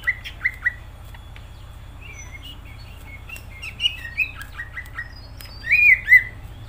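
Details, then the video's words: Greater green leafbird (cucak ijo) in full, vigorous song: loud clear whistled notes, then a run of quick varied warbling phrases and a bright, rising whistled flourish near the end, over a steady low hum. "Cucak ijo gacor"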